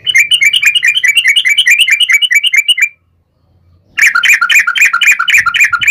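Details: Yellow-vented bulbul (trucukan) in fighting song meant to provoke other bulbuls: long dense rapid chattering trill for about three seconds, a brief pause, then another energetic fast burst.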